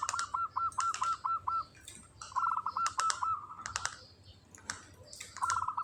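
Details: Zebra dove, a local kantong semar bird in breeding condition, delivering ngretek song: quick series of short hooked coos repeated in bursts, a longer drawn note after, punctuated by loud sharp clicks.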